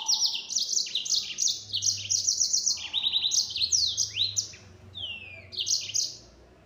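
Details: Yellow-fronted canary delivering an energetic full-speed nembak song: rapid bright trills, stuttering repeated notes and long downward sweeps, fading toward the end over a light low hum.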